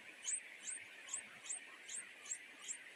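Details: Nightingale chicks in a nest begging their mother for food, too greedy for her to keep up: sharp, very high squeaks repeated about every half second over a constant buzzing background hum.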